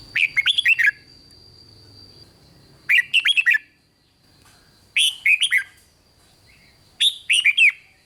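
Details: Red-whiskered bulbul giving the rik song used to stir up other bulbuls: four bright, bubbly phrases of rapid slurred notes spaced roughly two seconds apart, over a thin steady high tone.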